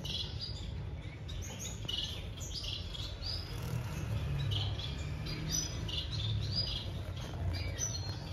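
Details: Breeding society finches giving a busy, uneven stream of brief high chirps and tweets, several per second at times, over a constant low droning hum.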